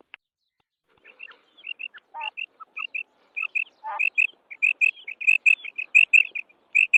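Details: Female quail calling: short high paired chirps repeated in quickening runs, mixed with a few lower, rougher notes, growing louder and denser toward the end.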